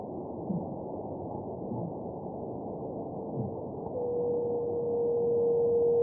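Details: A buff-spotted flufftail (Sarothrura elegans) gives its mournful, almost spooky call: a long, low, steady hoot like a distant foghorn, swelling over several seconds against a soft background hiss.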